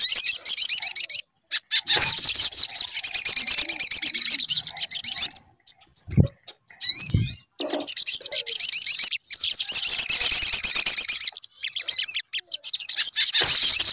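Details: Sunbird song used as a lure so a bird will start singing: repeated long bouts of shrill, rapid chattering trills with looping whistled notes, separated by short pauses and a couple of thumps.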